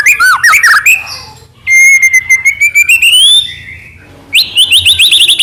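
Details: White-rumped shama singing to provoke other shamas: a quick jumble of varied slurred notes, then a long steadily rising pure whistle, followed by a rapid series of repeated high chirping notes.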